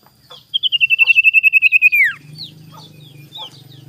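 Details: Sirtu singing hard in the morning as a lure for rivals: a quick series of sharp, evenly repeated high pulses that slide down at the end, followed by scattered chirps over a low rumbling background.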